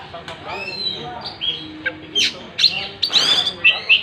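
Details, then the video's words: Oriental magpie-robin in full song with its tail spread: scattered whistles and brief harsher notes, becoming denser with quick bright chirps toward the end. "Burung Kacer gacor buka ekor"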